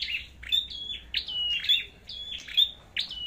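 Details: Duel singing by a red-headed flowerpecker: crisp high notes that drop into thin, level whistled tails, about one phrase every half second, clear and close.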